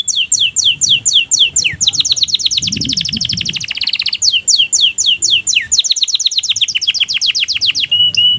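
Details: Canary in breeding condition singing a loud, continuous song of fast, high trills and repeated down-slurred chirps in rolling phrases, with a brief pause near the end before it resumes.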